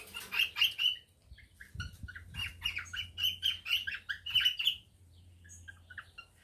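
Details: A male cockatiel courting a female after the pair has finished preparing the nest for breeding: bright, bursting whistled chirps in quick clusters for about five seconds, then a quieter pause with a faint low hum beneath.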